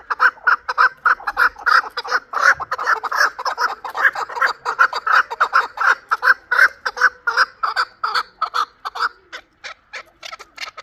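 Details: Young chukar partridge of Qavoq, Shurobod, hatched last year, calling a long steady series of loud, harsh chuk-chuk notes, roughly one or two each second, fading slightly near the close.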